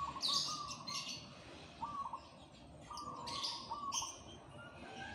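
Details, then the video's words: Zebra dove singing energetically in the morning: short, level cooing notes in brief staccato runs, repeated every second or so, with higher chirps from other birds mixed in. "Suara perkutut gacor dipagi hari"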